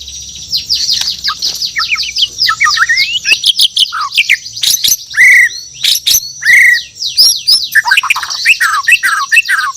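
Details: Morning song of a Bornean white-rumped shama (murai batu): loud, varied and rapid, mixing high chattering notes and sharp clicks with two clear, sustained lower whistles.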